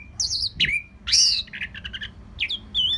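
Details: Orange-headed thrush singing fluently, a recording for training other birds: a dense, varied run of high whistles, slurred glides and rapid chattering notes with hardly a pause.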